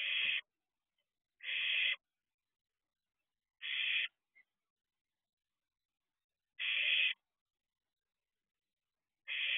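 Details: Barn owl chick at the nest box entrance at 4:31 am, 6/2/23: rough, noisy hisses repeated five times with irregular gaps of one to three seconds, and one tiny click between them.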